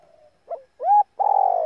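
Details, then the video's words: A female spotted dove calls to excite males. A faint soft note and a short pip lead into a smooth rising-then-level hoot, then a loud, harsh, vibrating purr begins. "tiếng chim cu gáy mái tập bổi kích mồi căng lửa"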